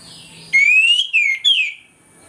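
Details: Orange-headed thrush in full morning song, the 'ngeplong' style played as a lure to make other birds aggressive: one loud, clear whistled phrase, a long rising slur, then two short falling slurs, over a quiet background.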